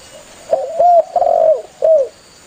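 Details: Spotted dove calling to its fellows, used as a hunting lure: a short run of mellow, low coos, a quick note, then two longer even coos and a final falling one, over faint hiss.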